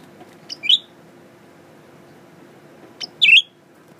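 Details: Blue-winged Leafbird kept as a pet, male, singing at his reflection in a mirror; a short sharp note leads into a bright twisting warble, repeated once about two and a half seconds later, with faint indoor hum.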